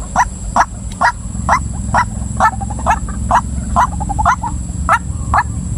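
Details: Female white-breasted waterhen giving loud, clipped croaks about twice a second, some followed by quick softer stuttering notes, against a constant high-pitched hum and low background noise.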